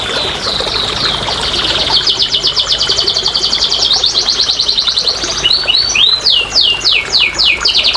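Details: Canary song for encouraging non-singing canaries: an extended fast rattling trill, high and even, shifting near the end into louder descending whistled sweeps.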